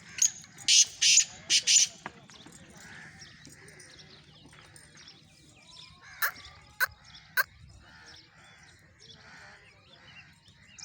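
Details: Black francolin in Sindh, Pakistan: three loud, harsh, grating notes in quick succession at the start, then a few sharp isolated notes, over a busy background chorus of chattering birds.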